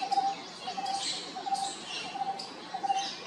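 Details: A cuckoo singing at IIT Kanpur, India, repeats a short, mellow, low whistled note about every two-thirds of a second, over a steady background hiss.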